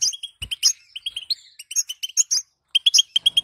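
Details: European goldfinch female calling, played so that males will sing; crisp, high twittering notes in lively runs, a brief pause, then more quick chirps, with a faint low knock early on.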